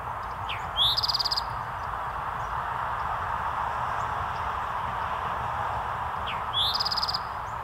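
An Eastern towhee sings its 'drink-your-tea' phrase twice, about six seconds apart: two quick notes, then a bright trill. Steady rushing noise fills the background.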